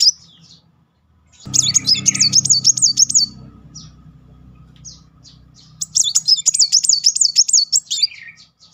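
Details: Van Hasselt's sunbird, 'nembak' style lure for young or silent birds: a sharp note, a pause, then two high rapid rippling trills about four seconds apart over a low rumbling hum.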